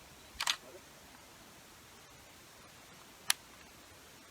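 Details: Two sharp camera-shutter clicks, one near the start and one about three seconds later, over quiet room hiss; no animal calls.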